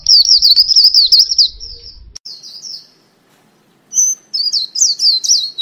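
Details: White-eye lure call: rapid, high, thin twittering with fast wavering chirps, delivered in two bursts separated by a pause of almost two seconds; a faint low rumble under the opening.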